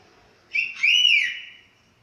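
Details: Chestnut-capped thrush that has finished moulting, giving one clear whistled phrase: a short high note, then a longer, smooth whistle that rises and falls over about a second, with a quiet background.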